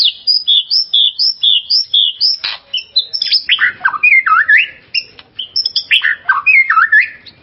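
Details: White-rumped shama, a kept contest bird, singing a lure song meant to provoke and excite another shama: long run of clear whistled notes repeated about twice a second, shifting into rapid varied warbles and slurred downward phrases.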